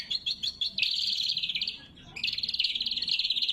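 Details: Greater green leafbird singing actively, a loud, sharp, natural recording used to lure wild birds and train cage birds: rapid chattering trills, then a long, dense, buzzy warble, a brief pause, and another fast, rattling phrase.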